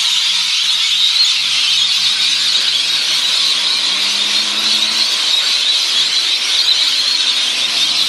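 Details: Rainbow lorikeets recorded 25 March 2014 chatter in a dense, unbroken wash of shrill, screechy calls, with a faint low hum underneath for the first few seconds.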